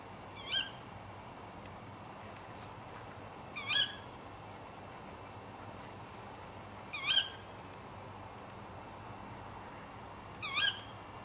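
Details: A juvenile tawny owl gives four short, high, hoarse wheezing calls, one about every three and a half seconds, over soft hiss; the sound was added in post-production.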